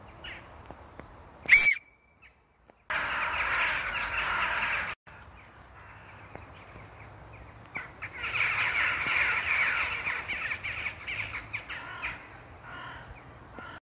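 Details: A flock of crows gathered at a castle: dense, harsh, overlapping cawing in two long bursts, one around three to five seconds and a fuller one from eight to eleven seconds, with a single loud sharp crack near the start.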